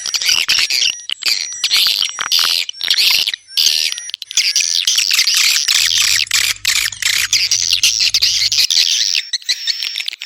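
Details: Swiftlets twittering densely, choppy chirp bursts early on settling into a continuous chatter, with thin sustained high whistles in the background.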